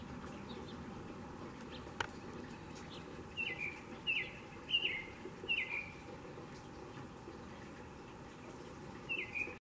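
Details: {'caption': 'American robin mating calls: five short, sharp chirps, each dropping quickly in pitch, come in a loose run between three and six seconds, with one more near the end, over a steady low background hum.'}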